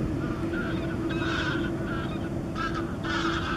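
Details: First-winter American herring gull on the outskirts of Campbeltown, Argyll, on 3 March 2014: loud nasal honking calls in short bursts, several within a few seconds, over a steady low rumbling background.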